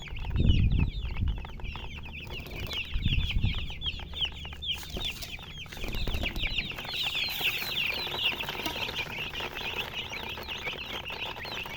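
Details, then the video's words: Young chickens peeping in a continuous high-pitched chorus, with repeated low thumps and handling noises in the first seconds and a broader hiss later on. "Baby "Chicks Chirping" Sound"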